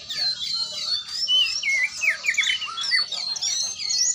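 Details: Oriental magpie-robin song from a kacer training session: a jumble of harsher squawky notes mixed with mid-pitched whistles and quick descending slurs, continuous and uneven in rhythm.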